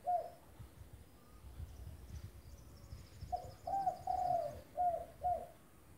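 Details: Spotted dove, a trained singing bird used as a master to prompt other doves to answer; a short coo, then after a pause a run of four or five low, mellow coos with the third longest, over a faint background hum.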